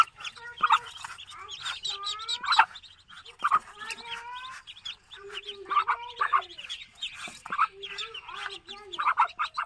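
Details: Many Muscovy duck chicks on a farm in Kamrup, Assam, India, calling with layered high peeps and short descending whistled notes in repeated bursts, a lower steady tone under them and frequent clicks.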